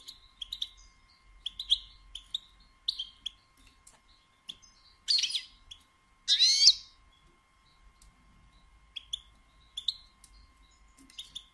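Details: European goldfinch female batbata calling to stimulate males: a run of quick high chirps and tinkling notes, broken by two loud harsh buzzy bursts midway, then more light chirping.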